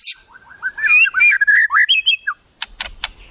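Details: White-rumped shama tutor song with mimicked wild-bird calls: a warbling run of rich, slurred whistles rising and falling, followed by a few sharp, high clicks.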